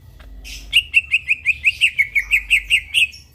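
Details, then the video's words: Midnight song of a greater green leafbird: a brisk, steady string of about twelve bright chirps, each roughly a fifth of a second apart, evenly pitched and slightly descending toward the end. "burung cucak ijo bunyi tengah MALAM GACOR"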